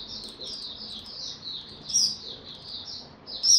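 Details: Oriental white-eye, recorded 25 January 2022 after sleeping late the night before, singing 'tiong aw': a run of high, thin, slurred whistled notes, about two per second, with louder sharp accents near the end.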